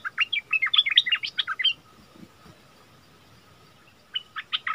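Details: Bulbul (merbah lekir) singing the double song style, recorded 24 February 2021: a quick run of clear, varied whistled notes bouncing between mid and high pitch for nearly two seconds, a pause with a steady faint hum, then another short burst.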